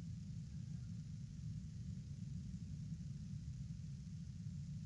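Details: Continuous low rumble of wind or distant traffic, with no animal calls.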